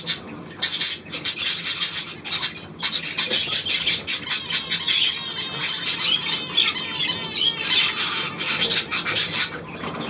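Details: Budgerigars on 9 February 2024: continuous high, rasping warble with rapid clicks and trilled chirps, several birds overlapping, brief pauses near the start.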